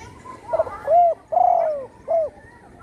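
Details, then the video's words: Home-kept spotted dove, wing once broken by a shooter, now vocal. Soft hurried start, arched mellow coo, extended downward-gliding coo and a clipped last note, over light background hiss. "burung tekukur,yg dulu di tembak orang kena sayapnya patah,kini sudah gacor di Rumah"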